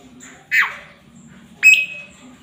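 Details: Male Asian pied starling in active song, recorded for training other birds: a scratchy downward squeal, a pause, then a sharp note settling into a short level whistle.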